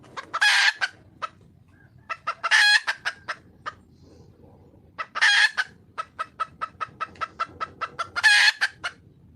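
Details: Wild red junglefowl hen calling for a male gives four loud harsh squawks. Each is followed by a quick run of short clucks, about three to four per second, forming repeated cackling phrases with brief pauses between bouts.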